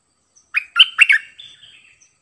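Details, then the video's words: A caged bulbul kept as a decoy gives one brief, clear song phrase: a few fluty, bubbling notes in quick succession, then trailing off into softer whistles. The background is quiet. "เปิดดอกเพลงเบิ้ล!!ร้องหลายเพลงSuara merbah lekir gacorbahanan"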